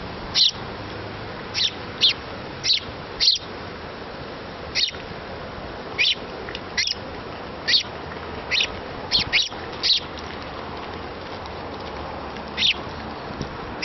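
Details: Young house sparrow begs a parent for food during feeding, giving brief, high-pitched chirps at uneven intervals, roughly seventeen in fourteen seconds, sometimes doubled, against a faint constant low hum.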